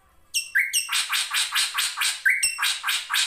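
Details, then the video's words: Drongo (srigunting) gives a few clear ringing notes and a short whistled slur, then a fast run of harsh, raspy notes at about five per second, used as a master song for training cage birds. "MASTERAN SRIGUNTING KRANTIL FULL ISIN"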